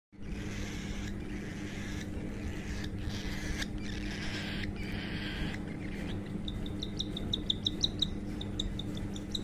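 A cockatiel chick gives rapid, thin, high chirps in quick series, begging while being hand-fed.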